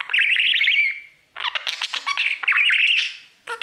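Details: Male pet budgerigar singing toward his mirror: a wavering whistled trill that slides down, then a gap, then scratchy clicks and chirps leading into more rippling whistled warble.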